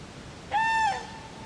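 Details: A crane at Friskalanlahti bay gives a single clear trumpeting note of about half a second. It is even in pitch, slightly less brassy than the others, and dips briefly at the close. Faint hiss lies behind it.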